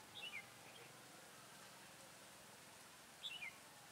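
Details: Red-whiskered bulbul singing as a decoy in a trap to lure rivals, recorded 23 October 2017; two short descending whistled phrases about three seconds apart over faint steady background hiss.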